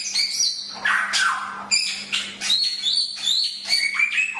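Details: Chinese hwamei (samyong) singing: loud, clear whistled phrases that slide up and down, some sharp rising notes, delivered in quick bursts about once a second, over a faint steady low hum.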